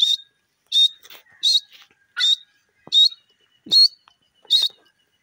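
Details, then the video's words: Grey francolin giving seven loud, piercing notes in a regular rhythm of roughly one every 0.7 seconds, with faint clicks in the background. "bhura teeter ke voice,dakhni teetar bird sound"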